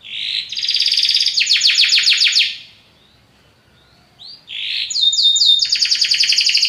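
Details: Belgian canary with a powerful song: two bright trilled phrases of rapid high notes separated by a silent gap, the second starting with a buzzy rising sweep.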